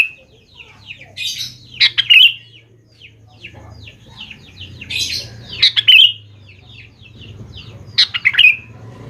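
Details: Sooty-headed bulbul song played to make young birds respond: three loud bubbling whistled phrases roughly every three seconds, amid dense faint chirping and a low steady hum.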